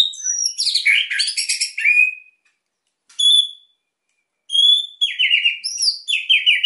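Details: White-rumped shama, a kept songbird, singing energetically to stir quiet birds: a rich buzzy tumbling phrase, a lone high note after a pause, then bright descending whistles.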